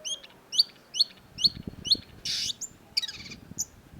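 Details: Long-tailed shrike (cendet) song: five sharp, high, downslurred notes spaced about half a second apart, then a loud harsh rasping burst and a few scattered chips.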